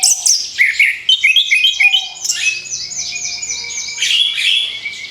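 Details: Orange-headed thrush (anis kembang) song for luring other birds: an energetic stream of stuttering chirps and descending trills that turns into a continuous, rolling high warble.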